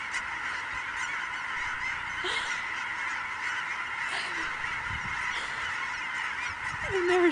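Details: A very large flock of migrating geese on Sauvie Island, October 2012, giving a constant massed chorus of honking, with one clearer nearby call rising then falling at the end.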